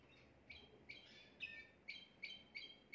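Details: Home-kept Timbrado canary, recorded the day before, singing a faultless song used to school young birds: six quick high chirps, roughly every third of a second, faint against a constant hiss.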